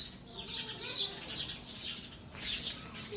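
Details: Busy, high-pitched chirping of sparrows, quick overlapping notes swelling in two louder bursts, over a soft steady background hiss.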